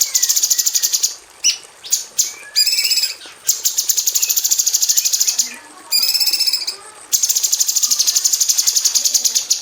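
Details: Female cucak cungkok bulbul in an aviary, a tutor for magpie robins, pouring out long bursts of very rapid buzzy, metallic pulses broken by brief pauses and rich, harmonic, rising whistled phrases; no other sounds heard.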